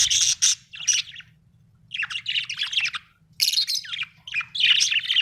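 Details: Budgerigar in a happy mood singing, giving clusters of rapid chirps and scratchy chattering notes in several bursts with brief silent gaps, a low background hum throughout.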